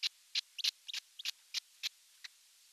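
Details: Baby osprey alone in the nest at a nest cam in the Satakunta region of Western Finland on June 29, 2022; short high chirps repeated irregularly, about ten in under three seconds, with no other sounds.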